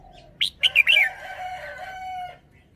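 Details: A caged red-whiskered bulbul shows its song phrasing with a crisp run of three or four loud whistled syllables, quickly followed by a long, steady rooster crow.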